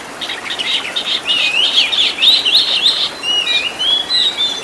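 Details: Kacer, the Oriental magpie-robin, in a master recording of filler song for training caged birds. A fast chattering, scratchy twitter builds up, then gives way to long, smooth, wavering whistled phrases.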